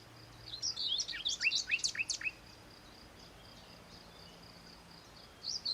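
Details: Common nightingale, a male singing to find a mate, heard by day or night in deep scrub; burst of rich fluting notes and sharp rising whistled strokes, then a pause before a brief resumption.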